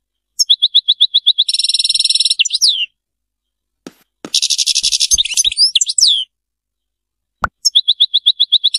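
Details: European goldfinch singing in the Serfati style: rapid twittering runs of sharp chirps, dense buzzy trills and falling sweeps, broken by a pause of about a second and some faint clicks before the twitter resumes.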